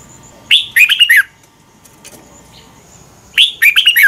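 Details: Lively morning song of a red-whiskered bulbul, meant for training other birds to sing: two quick bursts of bright, warbled notes that drop in pitch, separated by about three seconds of near silence with faint clicks.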